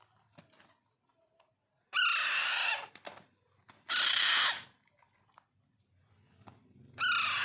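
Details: Hand-fed Alexandrine parakeet chicks, known as pahadi parrot, kept as pets: three loud raspy screams each lasting under a second, spaced about two seconds apart, with quiet clicks and handling sounds between them.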